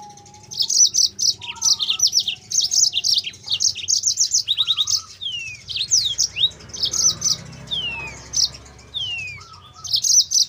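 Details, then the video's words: Yellow-fronted canary song as a lure for training canaries: continuous energetic high chirping phrases mixed with downward-sliding whistles and occasional lower warbled notes. "MASTERAN BURUNG MOZAMBIK GACOR"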